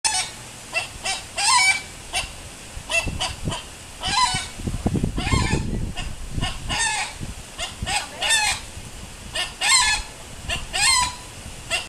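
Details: Rooster on a barrier island at Indian River Lagoon, Florida, raising an alarm while a bobcat stalks the chickens; loud, harsh, harmonic squawks repeated roughly every second, with a low rumbling sound in the middle.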